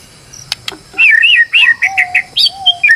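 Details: White-rumped shama, a stressed bird serving as a lure to make another bird sing: a couple of sharp clicks, then quick slurred whistled notes over long low steady whistles.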